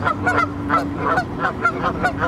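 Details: Canada geese with goslings, 23 May 2014, give a rapid run of nasal, reedy honks, about three a second and overlapping, with a low steady hum beneath.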